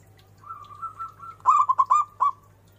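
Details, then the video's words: Local zebra dove singing strongly with a big voice: a long steady whistled lead-in, then a loud run of four or five rich cooing notes with bends near the end, ending in a lower trailing coo. "perkutut lokal gacor suara BESAR DAN BERCENGKOK"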